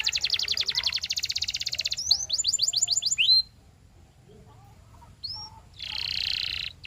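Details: Canary song: a rapid rolled trill for two seconds, then several descending sweeps and a final whistle, followed by near silence and a quieter, buzzy high burst.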